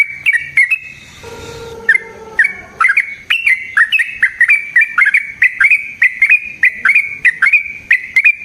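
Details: Yellow-vented bulbul pouring out a long fighting song, used as a lure and training master; after a soft hoarse low passage come rapid repeated whistled notes, each with a quick upward flick, in a steady bouncing series.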